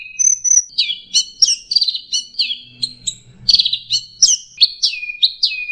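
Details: Captive songbird song used as training material for other songbirds, delivered in a 'teler' style with mixed 'tembakan' phrases: rapid high whistled notes and sharp downslurred chips, repeated in quick bursts about twice per second.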